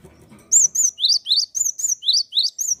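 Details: Java sparrow song from a lively singer, meant to stimulate other birds to sing: a series of about ten high, bell-like notes alternating with rising chirps, repeated roughly every quarter second after a faint rustle.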